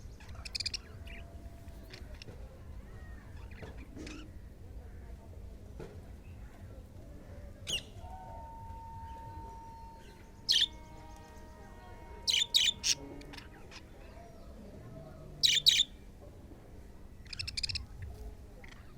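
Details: Breeding budgerigars give short, sharp chirps in scattered bursts over a low, steady hum.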